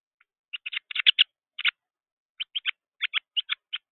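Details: Young Carolina wren fluttering excitedly at a feeder, giving rapid series of harsh, rasping chatter notes, some doubled, in short bursts separated by brief pauses.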